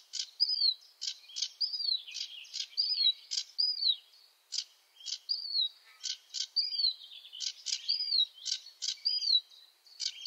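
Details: Sedge warbler song, slower here: sharp clicking notes alternating with short upslurred whistles, repeated in loose, irregular phrases over ten seconds.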